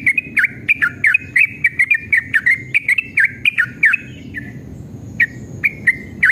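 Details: Yellow-vented bulbul in fighting mood, singing a long, rapid 'ropel' song used as a lure to make other bulbuls sing: quick bubbly whistled notes, each with a sharp click, run together for four seconds, then a few separate notes after a pause.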